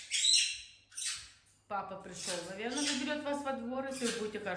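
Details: A pet parrot, outraged at not being allowed outside while other parrots were watered and bathed, gives two harsh, raspy squawks in quick succession before a woman's voice talks over the rest.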